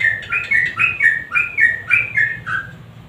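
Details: Energetic sooty-headed bulbul song, offered to make silent birds sing: clear, rhythmic two-note warbles, each pair stepping up then down, repeated about every half second over faint low hum.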